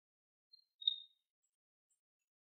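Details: Long-tailed rosefinch, feeding on goldenrod, gives a soft, high whistled call: a faint short note, then a clearer thin whistle that slides slightly downward. Otherwise quiet.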